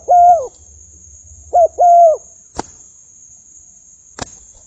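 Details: Spotted dove kept as a decoy bird, fighting with wild birds; low mellow cooing: a single arched coo, a pause, then a short coo followed by a longer drawn-out one, over a steady high insect drone and two sharp clicks.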